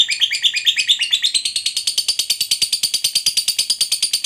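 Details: Long ngekek trill from a fighter lovebird, meant to provoke rival lovebirds: a few rising whistled notes lead into a rapid, steady, harsh chatter of evenly spaced notes, about three per second, going on without pause.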